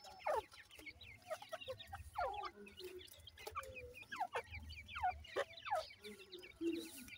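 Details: Francolin chicks from Punjab, Pakistan, giving a busy stream of thin, high, downward-slurred peeps that overlap and repeat several times a second, with a low hum underneath.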